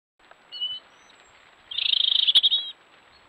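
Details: European robin (Erithacus rubecula), song.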